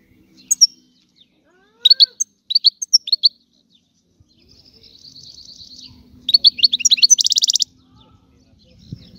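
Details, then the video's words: Scattered high goldfinch notes and short twitters separated by pauses, then a quick burst of chattering and a dry buzzy trill, over a faint low hum. "تغريد الحسون"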